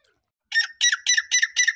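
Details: Grey francolin giving five loud, harsh, grating notes in quick succession after a short silence.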